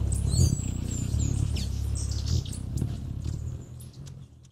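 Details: Hummingbird at a feeder recorded from directly below, the feeder resting on a surround microphone: wings make a steady, deep humming drone with pulsing swells, thin high chirps and squeaks flickering above throughout.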